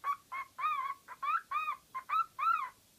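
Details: Pet parrot making all kinds of noises: eight short, nasal, harmonic squawks in quick succession, some rising then falling, spaced about a third of a second apart, in a quiet room.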